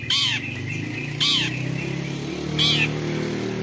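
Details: Long-tailed shrike "toet toet" call used as a lure to prompt other shrikes to sing: three loud, harsh, nasal notes about every 1.3 seconds, over a steady low engine-like rumble.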